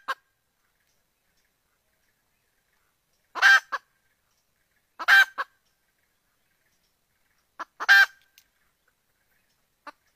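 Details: Hen red junglefowl calling for a rooster to mate, a sound said to make the male approach: three loud raspy squawks spaced two to three seconds apart, with faint clucks and long silences.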